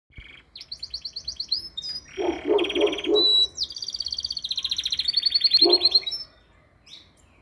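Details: Canary singing in the metralha style: rapid, evenly repeated high trills and buzzy rattles in fast successive phrases, broken by a lower pulsed churring burst mid-way and again near the end, then fading to quiet.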